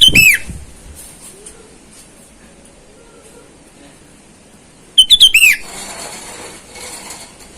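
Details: Sooty-headed bulbul in full voice calling to rivals in the wild, a lure call for wild birds: two bright whistled phrases of quick bubbly notes ending in a falling slur, separated by about five seconds of quiet.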